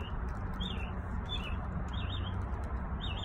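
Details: Birds singing in a backyard: short warbled phrases that rise and fall, repeated about every second, over a steady low rumble of background noise.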